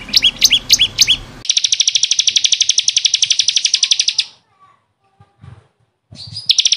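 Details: Bar-winged prinia (ciblek kristal), recorded as training song for caged birds: sweeping whistled notes lead into a fast buzzy trill lasting about three seconds. A pause follows, then the trill starts again.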